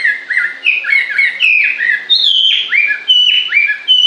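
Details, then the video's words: Varied bird song made of short whistled phrases, some flat, some dropping sharply, delivered in quick bursts with tiny gaps between them, in a quiet setting. "Con chim hót suốt nghe mát ruột"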